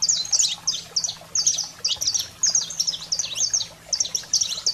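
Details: Saffron finch singing in excited 'fogo selvagem' mode for stimulating canaries: spaced bursts of high, shrill chirps and quick slurred notes, roughly two per second, faint low hum underneath.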